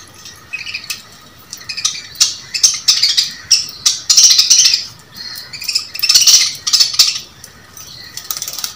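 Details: Budgerigars (Melopsittacus undulatus) squabble while eating, several birds chattering and squawking over one another in harsh, scratchy bursts.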